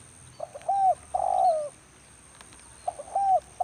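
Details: Spotted dove, a decoy bird used for luring and trapping wild doves in rainy weather, gives mellow low coos in two short groups, each a brief note followed by a longer, slightly falling coo, over a steady high electronic whine.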